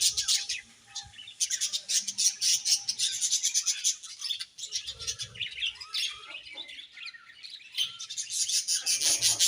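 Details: Colony of budgerigars chirping happily, many birds calling at once in dense overlapping bursts of high, scratchy chirps and warbles, with brief quieter gaps between busier stretches.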